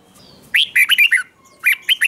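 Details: Doubled song of a red-whiskered bulbul, intended for teaching young birds: two quick back-to-back phrases of bright, liquid, up-and-down whistled notes.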